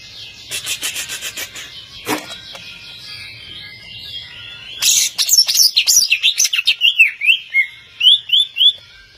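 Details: Greater green leafbird, an overall champion songster, starting with soft fast chatter and a sharp click, then a loud burst of varied whistles and buzzy notes ending in a string of clear, slurred whistles repeated rapidly.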